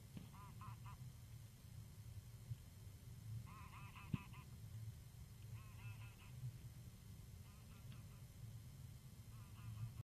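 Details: Geese passing overhead in Kulgur, Estonia, late March 2018 in the evening, giving faint repeated honks in small groups every second or two, with constant low-frequency background rumble.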